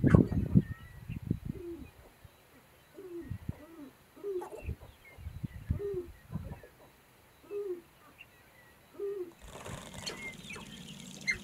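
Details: Sharp-tailed grouse at a lek: low hollow cooing notes repeated roughly every second with soft thumps between, faint higher chirps above, and a burst of broadband noise near the end.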